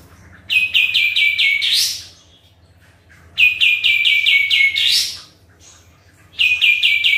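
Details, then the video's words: Sooty-headed bulbul singing vigorously: three bursts, each a quick run of about five short, slightly falling chirps that ends in a sharp rising upsweep. Brief pauses separate the bursts, with a faint low hum underneath. "KAPAS TEMBAK GACOR"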